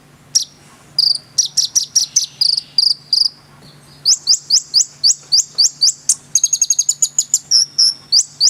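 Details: Konin in full energetic song: a series of high sharp chirps, then steady repeated upslurred notes and a fast tinkling run, densely packed.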